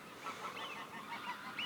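Geese honk in short, nasal calls repeated over a few seconds, several birds overlapping against a steady wash of background noise.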